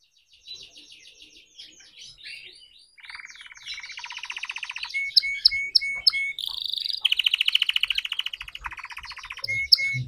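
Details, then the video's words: Young red canary learning to sing, a varied song of rapid trills and buzzy rolls, some low, some high and bright, with sharp repeated notes growing louder in the second half. "Kenari Merah Merona Belajar Gacor Berkicau"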